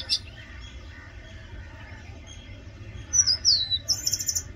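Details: Oriental magpie-robin singing: one brief high note at the start, a quiet stretch, then a late run of clear, descending whistles and high rapid trills.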